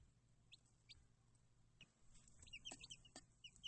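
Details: Baby chicks giving thin, high peeping chirps, short rising and falling notes that grow more frequent in the second half, over low background hum and scattered knocks.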